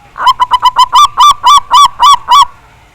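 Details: Local Javanese zebra dove (perkutut) song used as a trigger for singing: a loud sequence of about eleven coo notes that start quick and short, then slow and lengthen toward the end.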